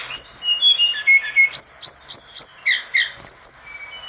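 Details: Orange-spotted bulbul singing vigorously, a recording meant for tutoring other birds: a fast run of clear whistled notes, high slurs alternating with lower ones, about three or four notes per second, against faint background hiss.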